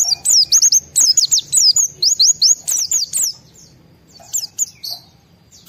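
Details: Pleci, a white-eye, singing with high excitement to stir other white-eyes into song; a long fast chain of thin, high looping whistles for about three seconds, then fainter scattered notes.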